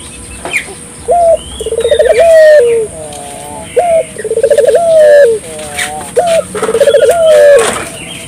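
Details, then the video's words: Persistently calling Barbary dove (puter), played to set local doves calling: low coos in three bouts, each a brief note then a bubbling, pulsed coo with a falling tail, every two to three seconds; scattered faint bird chirps above. "suara burung puter gacor"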